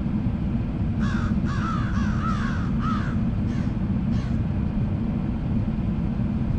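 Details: Crows from a group, giving a run of six or seven harsh, nasal caws in quick succession over about three seconds, then two fainter ones, over a steady low rumble of traffic or wind.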